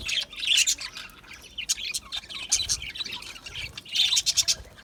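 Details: Aviary budgies chattering: rapid overlapping chirps, raspy warbles and short squawky notes from a group, loud bursts near the start and again near the end, with quieter scattered clicks between.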